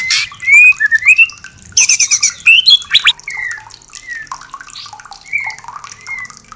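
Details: White-rumped shama song played to stimulate mating readiness: loud rich whistles mixed with harsh buzzy bursts and high chattering notes, followed by softer slurred whistled phrases.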